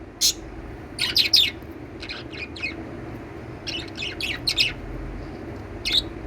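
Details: Lovebirds giving short, sharp high chirps in small clusters, separated by gaps, over a continuous low mechanical hum.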